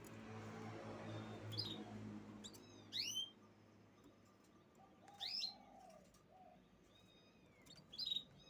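A canary gives three short bursts of high, bright chirps and swept notes a couple of seconds apart, over a low rumble at the start and a soft background hiss.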